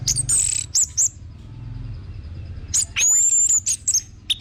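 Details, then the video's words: Orange-headed thrush with bursts of very high, thin whistles and chips, a quiet gap, then a long sustained high whistle followed by quick chirping notes, used to stimulate other birds to sing. "BAGUS UNTUK PANCINGAN BURUNG ANIS MERAH BIAR TELER DAN GACOR"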